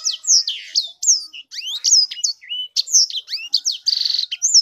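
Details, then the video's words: A sanger pours out a rich, hurried song of piercing downslurred whistles, rising sweeps and chattery notes, ending with a quick stuttering trill and a final bright whistle, with no other sounds present. "Burung sanger beneran sangar suara nya"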